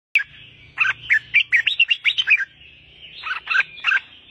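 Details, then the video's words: Albino red-whiskered bulbul, hand-tame, singing: a quick run of bright, warbled two-tone notes, then a short pause and three louder slurred whistles, over a faint low hum. "chào mào bạch tạng cầm tay hót đỉnh của chóp"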